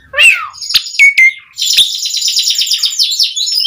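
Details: Asian pied starling singing continuously as a lure to make starlings sing: a descending whistled slur and short clear notes, then sharp clicks and a steady, rapid, buzzy chatter.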